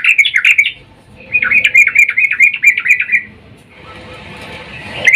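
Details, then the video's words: Sooty-headed bulbul female, in breeding mood, calling to the male as a lure: a short chirp burst, then a longer run of rapid uneven chatter, ending in a soft hiss and one last note. "trucuk Betina memanggil jantan EMOSI BIRAHI"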